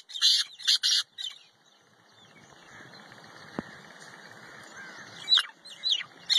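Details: Black francolin, a wild game bird in its natural habitat in Pakistan, gives loud, harsh, grating bursts: three rasping notes within the first second, then a quieter stretch before more scratchy notes near the end.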